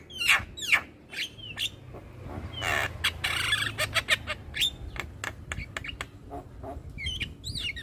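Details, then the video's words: Young black-winged myna singing nonstop while bobbing its head: loud harsh squawks, long rasping bursts and many quick clicks and chips, closing with a run of short rising whistled notes. "Ocehan Jalak Kebo Muda Suara Asli Jalak Kebo Manggut Manggut Ngoceh Tanpa Henti"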